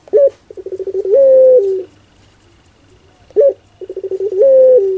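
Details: Two pelung phrases by a puter, the Barbary dove, about three seconds apart, each a sharp note, a run of stuttering pulsed coos and a long level coo falling a little before stopping.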